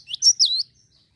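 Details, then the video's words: Java sparrow calls used as a lure to prompt other birds to sing: a brief high-pitched burst of three sharp, slurred chirps within about half a second, then quiet. "Pancing bunyi gelatik bahan agar rajin bunyi"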